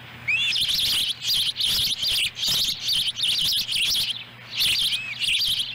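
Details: A chick feeding on a small fish at an osprey nest in Lolo, Montana, July 18, 2017. Nearly continuous shrill, wavering chirps run in quick clusters, with a couple of upward-curving whistles near the start and end.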